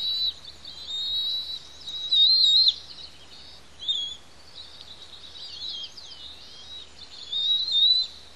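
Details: Wild bald eagle chicks, a pair of eaglets in a restoration project nest on Santa Cruz Island, noisy during feeding by their parents; strained, high thin whistles and chattering bursts in several separate runs, loudest near the middle.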